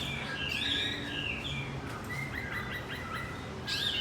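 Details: Javan white-eye lure song meant to restart a male that has stopped singing: high chirping twitters with a rising-falling phrase, then a string of short notes and a final burst, over steady low background hiss.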